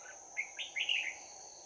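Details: Red-whiskered bulbul giving a 'bell voice' fighting song during trapping, 11 January 2019: a quick string of bright, warbled whistled notes rising and falling, ending in a slurred flourish, over a steady high insect drone.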